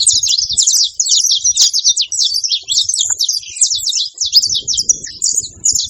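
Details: Saffron finches together at a feeder, chattering steadily: bright, high, clipped chirps and twitters tumbling over one another without a break, background otherwise quiet.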